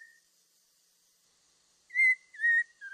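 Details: After near silence, a Black-throated laughingthrush utters two clear, level whistled notes followed by a short downward slur. Faint higher overtones show on the notes.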